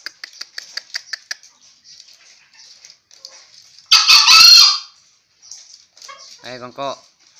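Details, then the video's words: Breeding-sire green junglefowl male, aged five, crows once: a short, harsh, hoarse burst lasting under a second, preceded by rapid ticking clicks and followed by a brief voiced call close by. "Kokok ayam hutan hijau"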